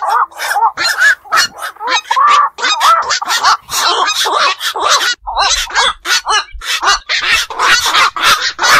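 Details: Black-crowned night heron, local name bakchu, wetland and pond bird: loud, raspy croaks and squawks repeated quickly by several callers, some notes with a nasal, bending tone.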